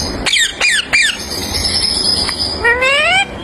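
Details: A baby green rose-ringed (ringneck) parakeet, a talking parrot, gives three harsh, falling squawks in quick succession, a thin high whistle, then a rising, nasal, speech-like call, followed by talking like "mama".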